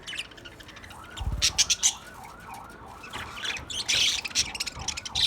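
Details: Pet white budgerigars chattering: sharp high chirps and squawky notes in quick irregular runs, over a faint wavering tone and a brief low thump.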